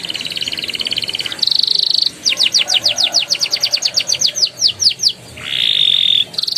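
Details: Canary lure song meant to get young and silent canaries singing: a pulsing trill, a flat buzzy note, then about twenty-five crisp downslurred whistles slowing toward the end, followed by another buzzy rattle.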